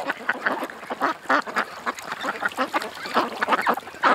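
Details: Creek ducks giving a rapid series of short, raspy quacks, several birds overlapping in an uneven rhythm.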